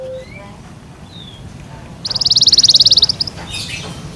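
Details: Kept Yorkshire canary singing: after two quiet seconds, a fast, high, rattling trill of about sixteen evenly spaced notes lasting just over a second, followed by a brief burst of sharper high chirps.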